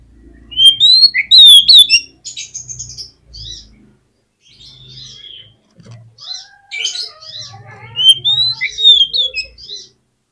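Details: A rich, varied Oriental magpie-robin song meant to make a lazy bird answer back: high whistled slurs and fast twitters, with lower warbled notes midway, in clear, closely spaced phrases.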